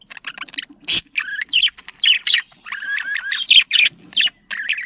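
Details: Pet budgerigars chattering to encourage mating: lively warble of squeaky whistles, scratchy buzzes and sharp chirps in quick overlapping phrases.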